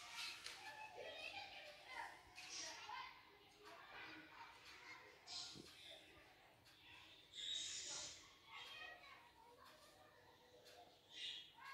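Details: A flock of budgerigars in a garden chatters nonstop in a busy, scratchy warble, with sharp high chirps and squeaky bursts rising above the flock's constant murmur.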